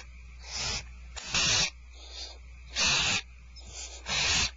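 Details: Feeding time for barn owls at Starr Ranch, 2/1/12: loud breathy hisses alternate with softer, more distant ones, an irregular back-and-forth of rasping screeches.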